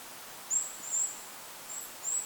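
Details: Goldcrest in forest by a lake, wind in the background: four very high, thin, drawn-out squeaky notes in two pairs, above a soft continuous hiss.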